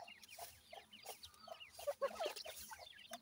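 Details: Grey francolin (dakhni teetar) chicks beside an adult pair give quick high cheeps in short runs, mixed with a few lower, rounder notes and a brief louder burst midway.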